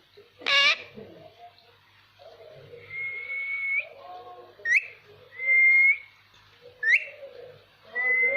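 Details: Pet ringneck parakeet whistling in different voices: long level whistles near one pitch, each opened by a sharp upward sweep, repeated about every two seconds, with lower murmuring notes and a brief harsh squawk at the start.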